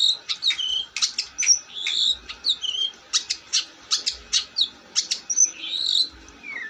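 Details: Long-tailed shrike singing a fast, varied run of sharp clicks, scratchy notes and short whistled slurs, kept up steadily for several seconds.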